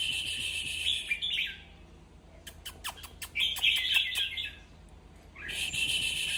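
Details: Red-whiskered bulbul, a sound meant to excite other bulbuls: buzzy chatter fading out, a quiet stretch of sharp clicks, a renewed chattering burst, then a steady buzzy chorus again.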